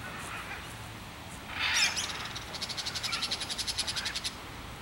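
Crested caracara: one harsh, scratchy burst, then a fast dry rattle of about twenty grating notes over two seconds. Faint background hiss.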